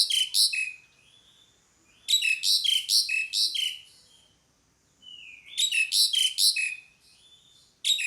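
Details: Pied myna giving repeated bursts of harsh, rasping squeaks about two per second, each dropping to a short whistle. The bursts come in three bouts, with quiet gaps and soft whistles between.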